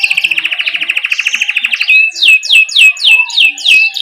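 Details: Tutor song of a canary in 'ngerol' style for young canaries. A fast, even pulsed trill runs for about two seconds, then a series of loud downward-swept whistles repeats roughly every third of a second.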